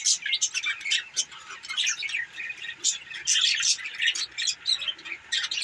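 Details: Lively budgerigar chatter, a steady, overlapping flow of high chirps, squeaks and buzzy warbles from a group of birds without pause.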